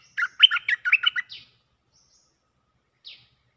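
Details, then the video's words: Cream-vented bulbul calling for a mate on a looping lure track: a lively run of chattering, gurgling notes for just over a second, followed by a single soft descending squeak. "เสียงนกดอกแตงEp.155 สับไม่หยุด!! เสียงเรียกคู่ เพลงดี ร้องวน Suara pikat merbah lekir gacor"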